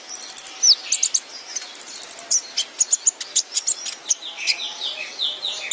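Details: Sunbird training song with thin high trills, scattered sharp ticks and short slurred whistles, ending in a series of soft, repeated, falling notes.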